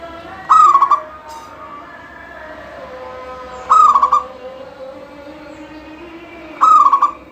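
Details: Zebra dove of a local strain singing nonstop to spur other doves: three repeated coo phrases, each a sharp starting note trailing into quick throbbing pulses, several seconds apart over a quiet steady background.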